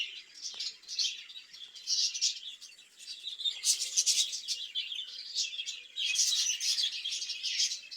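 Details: Caged budgerigars raised for breeding, their twittering swelling and fading in bursts, with loud clusters of squeaky chirps around the middle and again toward the end.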